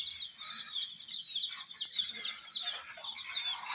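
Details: Hen chicks playing around a miniature toy jeep give a steady, dense chorus of high, thin peeping chirps, with many calls overlapping continuously throughout.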